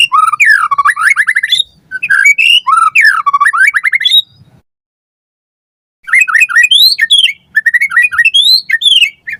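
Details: Lure recording of a white-rumped shama in vigorous song to train other shamas. Rapid looping whistled phrases rise and fall in bursts, with a silent gap of nearly two seconds midway.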